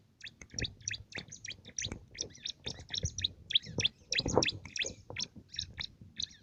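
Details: Bar-winged prinia, a small agile bird prized for its loud voice, singing canary-like song used as filler for contest birds: rapid high chirps and short trills in quick bursts, with low background rumble.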